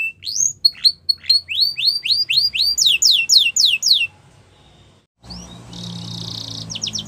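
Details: Yorkshire canary song played for training young canaries: a run of rising, whistled slurred notes repeated about four times a second, then a faster burst of high upward sweeps before a pause and a rough, noisy stretch with more trills.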